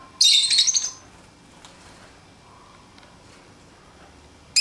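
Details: A pet lovebird playing outside its cage lets out a single loud, raspy, high squawk lasting under a second, followed by near silence and the start of another call at the very end.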